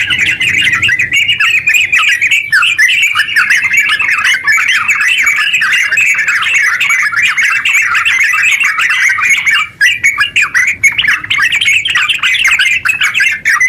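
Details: Extended run of sooty-headed bulbul song, long and rapid, played to make other bulbuls sing; an unbroken stream of jumbled whistled notes, with a short break near the end before the chatter resumes.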